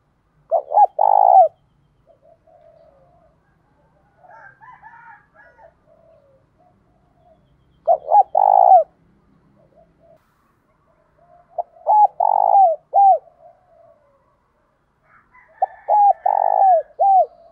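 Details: Spotted dove singing in the thổ pha đồng style, mixing thúc đấu fighting coos with gáy gọi calls. Five deep, rolling coo phrases come every three to four seconds, some with doubled end notes. Softer warbled notes fall in the pauses.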